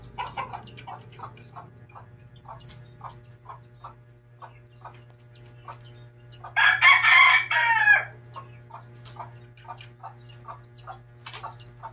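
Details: Mother hen among her chicks, giving short repeated clucks while the chicks cheep in high, falling peeps; midway comes a loud, harsh, drawn-out squawk lasting over a second, then the clucking and peeping resume over a low hum.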